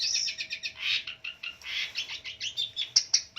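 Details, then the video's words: Long-tailed shrike, a fighter bird in full song: a dense run of short scratchy and chattering notes, mostly high, with quick harsh bursts and a few sharp clicks near the end, delivered in rapid succession. "Burung pendet figther gacor dor full isian ediaaaaan...!!! Pancingan cendet stres macet bunyi"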